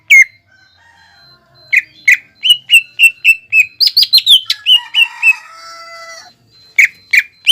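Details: Greater green leafbird, cucak ijo bahan, heard as a lure for other birds to sing: brisk sequences of sharp, ringing chirps and whistles, some rising, others falling, with a soft buzzy warble mid-phrase before final loud notes.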